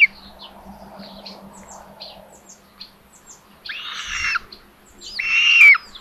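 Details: Common buzzards at a solar-powered live nest camera in Tiszalök, Hungary, on 27 May 2022 around 12:32, while the mother brings food to the third chick: faint soft chirps, then two loud, harsh, descending mewing calls.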